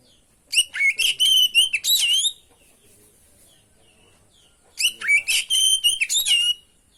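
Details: Oriental magpie-robin (kacer) in vigorous song for a masteran lure recording: two long bursts of fast, varied high whistles and trills, separated by a quiet stretch of faint chirps.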